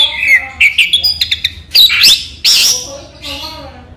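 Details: Orange-headed thrush (anis merah) kept in a collection, singing by day: a quick series of sharp chirps and clear whistled notes, then louder buzzy bursts, and ending in softer warbled phrases.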